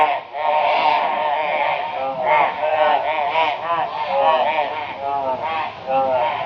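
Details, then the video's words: Crows joining forces to harass a barn owl in Brisbane, Australia, in February 2022; a steady chorus of overlapping raucous, drawn-out caws from several birds. "Crow Reacts to Barn Owl with High Volume Raucous Noise"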